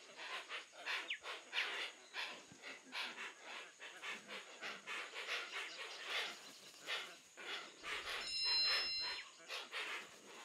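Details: Hoatzins in Brazil's Amazon giving rough, wheezy, panting calls in rapid irregular pulses, alongside a constant high-pitched insect drone and a brief whistled note near the end.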